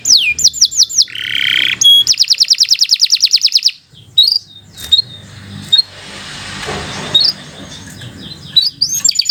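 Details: Atlantic canary singing vigorously for training other canaries: a few falling whistles, a buzzy rattle and a quick rolling trill, then mostly hiss and scattered faint notes.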